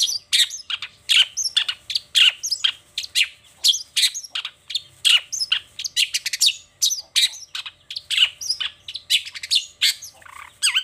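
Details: Long-tailed shrike pouring out a varied morning song, showing off its repertoire: an unbroken, dense stream of scratchy chirps, trills and sharp notes with hardly a gap, ending on a lower slurred note.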